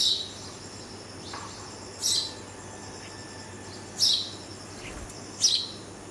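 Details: Rescued red-vented bulbul fledgling, fed by its visiting parents, giving short, harsh, high raspy begging calls about every one and a half to two seconds, with a faint background hiss.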